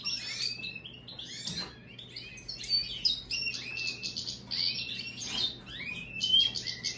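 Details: Song of an American goldfinch and European greenfinch hybrid: a continuous, lively twitter of high, buzzy trills and sliding whistled notes with short rasping bursts, over a faint low steady hum.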